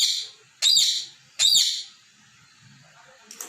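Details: Pet talking parrot scolding its toy balls while playing. Two loud, harsh, high squawking chirps sound in quick succession, followed by quiet with faint rustling.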